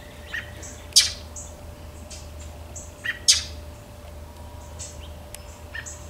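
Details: Backyard American robin alarm calls, with an unseen northern mockingbird also alarm calling: short, explosive chip notes at irregular intervals, two standing out strongly, against constant low background rumble.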